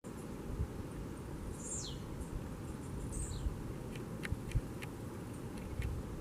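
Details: Wild blue-black grassquit (tiziu) singing in nature: two faint, brief, high buzzy notes that sweep downward, about 1.5 seconds apart, with scattered short clicks. Steady low wind-like rumble throughout.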